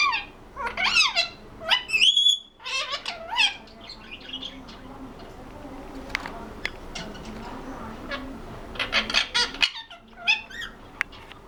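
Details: Pet ringneck parrot chattering in mimicked speech: clusters of squeaky, swooping syllables and a rising whistle, then a stretch of faint clicks before another lively burst of talk-like squeaks.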